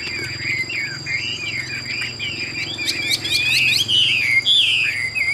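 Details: Caged Chinese hwamei offered in Vietnam as a bird suited to fighting or singing, delivering a varied run of bright slurred whistles with quick rising and falling notes and sharp clicks, steady electronic whine in the background.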